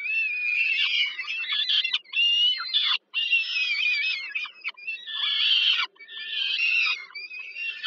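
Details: Evening feeding of peregrine falcon chicks by their mother at Termika Żerań, Warsaw, Poland, 15 July 2022; the young give continuous raspy, wavering screeches in phrases of about two seconds, with a faint hum behind.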